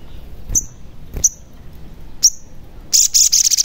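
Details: Sogon lure sounds played to start a caged sogon singing: three sharp high chirps spaced about a second apart, then a fast rattling run of high chirps at the end.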